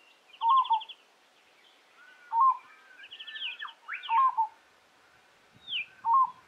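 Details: At Kinchina Conservation Park, South Australia, on 25 September 2021, a peaceful dove calling from an open branch gives a soft, trilled, rising-falling coo about every two seconds, with nearby spiny-cheeked honeyeaters and other birds trilling and whistling higher.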